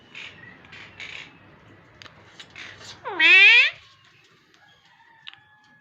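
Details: Parrot imitating words indoors: several short, rough speech-like syllables, then a loud harmonic cry that bends downward and holds for about half a second. A thin faint whistle follows in a quiet room.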